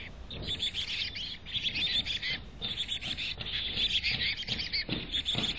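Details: Steady high chirping of a chickadee at a nest box in North Vancouver: rapid, thin, overlapping notes running without pause, with occasional soft rustles.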